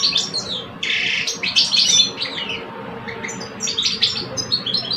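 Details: Rival caged male goldfinches, an older adult and a two-year-old, sing against each other in Algeria; a loud buzzy burst early, followed by lighter tinkling twitters and trills.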